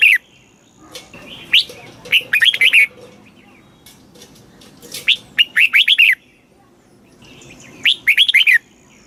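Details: Red-whiskered bulbul delivering southern master-phrase song to stimulate and teach caged birds: three bursts of clear, chirpy, looping whistles spread across several seconds, with quiet gaps between them.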